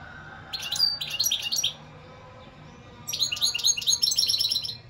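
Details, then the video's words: Two quick phrases of European goldfinch song, each a rapid, chattering string of high, tinkling notes roughly a second long, separated by a short silence. "اقوا واجمل تغريد حسون"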